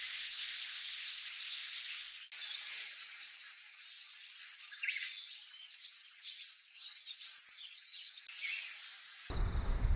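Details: Meadow Bunting in Japan in winter, found in open farmland and riverbanks and often flocking hidden in thickets, giving clusters of three or four sharp, high 'tsit' notes every second or two with lower chirps; hiss opens, thud ends.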